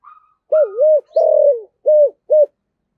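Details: Spotted dove kept as a decoy bird, singing in the 'giọng thổ' voice style; low hollow coos: a faint note, then a wavering double coo, a longer coo and two short clipped coos, on a silent background.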